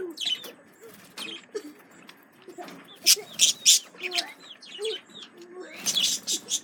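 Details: Caged male budgerigars responding to a lemon cucumber, producing loud sharp chirps in a cluster of three, scratchy warbling, and a dense burst of chatter at the end.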